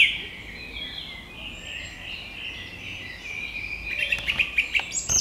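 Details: Male song thrush singing, repeating each phrase: a high warbling wash gives way to a quick run of sharp, repeated notes near the end, over a faint background of other birdsong.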